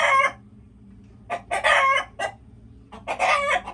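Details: Chickens making loud, harsh, drawn-out squawks separated by short silences, each squawk preceded by a few quick clucks, faint hum in the background.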